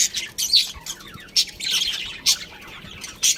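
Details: Scattered loud chirps from a budgerigar breeding pair, single sharp tweets standing out over softer continuous squeaky chatter.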